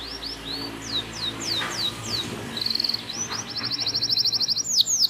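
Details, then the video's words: Local canary tutor song used to train other birds, full of rolling trills: a run of separate down-slurred whistles, then a fast buzzy trill and a rapid rising roll, over a low murmuring background hum. "FULL NGEROLL | MASTEAN KENARI LOKAL GACOR | FULL ISIAN | MASTERAN BURUNG KENARI"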